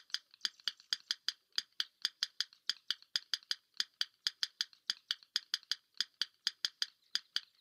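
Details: Yellow Rail, a secretive Maine marshbird of cattail, sedge and rush marshes, giving its tapping call of dry, stony clicks in a steady run of twos and threes, like two stones knocked together, with no other sounds.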